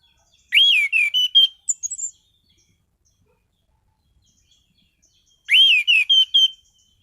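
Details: Orange-headed thrush kept as a cage bird, giving two near-identical song phrases several seconds apart, each a swooping clear whistle followed by quick chips and a thin high trill.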